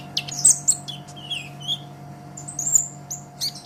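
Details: Brown-throated sunbird (kolibri ninja) song used to train songbirds: sparse high chips, a few lower slurred notes and a thin drawn-out whistle, with a steady low hum behind.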